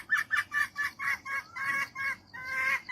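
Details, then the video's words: Calling for a mate, a female jungle fowl gives a rapid string of loud, raspy clucks. The notes lengthen and run together near the end into a drawn, cackling phrase. "เสียงไก่ป่าตัวเมียร้องหาคู่| The sound of a female jungle fowl cries for a mate"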